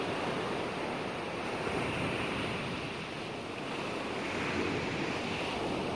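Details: Continuous crashing surf and wind noise fill the recording, with no animal calls.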